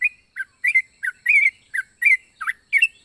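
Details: Yellow-vented bulbul, varied odd-sounding song: short slurred chirps alternating high and low, some bending downward, roughly three per second, with a faint steady high tone in the background.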